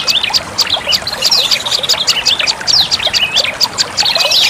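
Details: Olive-backed tailorbird lure call: quick high chips and swooping whistled phrases crowded together, rising and falling in loudness over a soft hiss.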